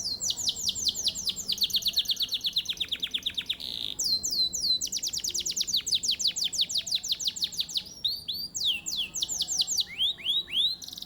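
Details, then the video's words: Canary bred for song contests in Mojokerto, Indonesia, delivering a long unbroken stream of rapid falling whistled notes, a steady held tone, then more rapid series and high curling phrases. "KENARI PRESTASI durasi edian"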